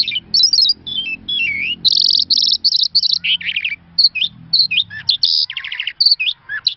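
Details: Song of an Irani Mashadi Jal lark, a rich, nearly continuous medley of high whistled notes, rolling buzzy trills and twisting slurred phrases that change every moment, with a soft low rumble underneath.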